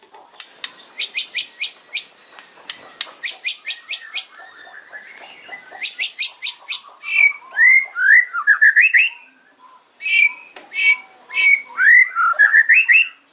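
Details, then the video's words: Sharp, hard kretekan fighting song of a white-rumped shama, meant to rile opponents: clusters of loud clicking bursts in groups of four or five, followed by slurred rising and falling whistles. "KRETEKAN MURAI KERAS FIGHTER ISIAN TAJAM BIKIN LAWAN EMOSI"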